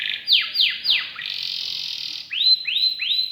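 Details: Canary song with three loud falling whistles, a held buzzy note lasting about a second, then three clear upslurred whistles.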